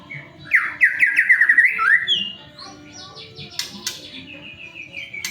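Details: White-rumped shama song played as a lure to get other shamas singing quickly: a rapid rattling trill of repeated notes, then scattered whistled notes and a long descending series of clear, slightly buzzy whistles.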